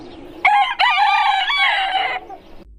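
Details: A rooster crowing in the morning: one long crow lasting nearly two seconds, opening with a short rising note, then a sustained, slightly wavering harsh cry that cuts off sharply. The background is quiet.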